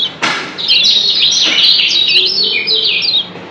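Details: Lombok yellow white-eye, a caged bird, calling in double 'ciak' fashion: a continuous string of high, bright, slurred chirps, broken by two dull knocks.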